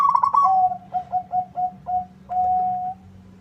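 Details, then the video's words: Zebra dove, local type, in lively song answering a rival: a fast warbled start sliding into five short, even coos and a long final coo, steady low hum behind. "Suara perkutut lokal gacor bikin nyaut lawan."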